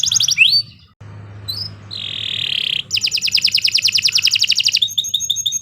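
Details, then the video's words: Canary giving long, sharp song meant as a master recording for training future champion birds: high sliding whistles, a buzzy held note, then a fast, even trill of rapid repeated notes ending in quick chirps. "Kicau Burung Kenari 114 II GACOR PANJANG Cocok untuk Masteran OK"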